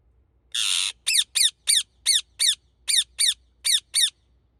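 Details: Indian ringneck parrot giving one long harsh rasping squawk, then nine short, sharp, rising-falling screeches in quick succession, roughly three to four per second with uneven spacing, in a quiet setting.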